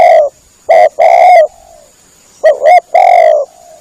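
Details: Spotted dove calling, a sound used to lure birds in for hunting: two phrases of clipped notes and a long, mellow coo trailing off softly.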